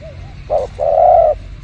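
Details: Spotted dove recorded behind house plants for bird luring, giving one coo phrase: a brief mellow note, then a longer steady hollow coo, with faint background hum.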